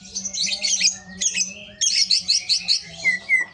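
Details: Greater green leafbird, a kept songbird, singing its harsh rapid 'besetan kasar' style: dense bursts of scratchy high chattering notes in quick phrases, broken by brief pauses, ending with two short clear whistles over a steady low electrical hum.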